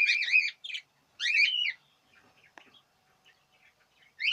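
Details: Budgerigar chatter during the 2017 breeding season, with warbled chirps bending up and down in two bursts, then near silence with faint ticks before another chirp begins.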